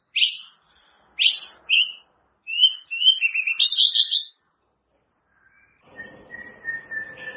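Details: Caged-bird training song of a white-rumped shama: separate high whistled chips, then a run of rising slurred whistles and a buzzy flourish, followed after a pause by a steady thin whistle over faint background noise.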